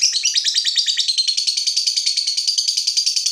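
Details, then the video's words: Fighter lovebird heated up by a rival, delivering a continuous long ngekek: a shrill, rapid, chattering trill with even pulses throughout. "Lovebird FIGHTER terpancing Panas, nyaut Ngetik lanjut Ngekek Panjang"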